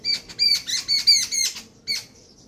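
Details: Jungle babbler in a house, sitting on a chair, gives a quick run of about seven harsh, nasal, squeaky notes, three or four per second, with a short pause before a final note.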